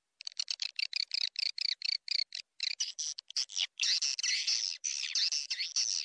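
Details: Swiftlet call used to attract swiftlets: fast series of short, buzzy, high chirps that run together into longer rasping twittering bursts in the second half.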